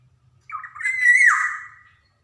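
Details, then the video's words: Black-naped oriole, Javan golden oriole, used as a training recording for young birds: a single rich, fluting whistled phrase about one and a half seconds long, sliding up then dropping, in clean quiet surroundings. "SUARA PANCINGAN KEPODANG JAWA | kicauan kepoxang emas gacor cocok buat merangsang kepodang bahan"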